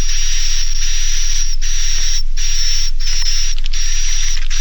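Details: Edible-nest swiftlet Naga Mas roosting call, used by swiftlet farmers to make young birds roost: a near-continuous hissing buzz split by a few short breaks, with a steady high whistle throughout.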